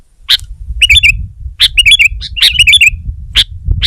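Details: Kutilang, a sooty-headed bulbul, singing against a rival: sharp high chip notes alternate with bubbling, twisting two-part phrases that drop in pitch, about one phrase per second, over a soft low background drone.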